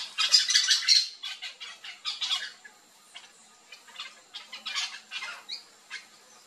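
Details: Backyard flock of yellow-chevroned parakeets in Brazil eating fruit, giving rapid harsh screeches in quick succession, loud at first, then scattered shrill squawks with brief pauses between.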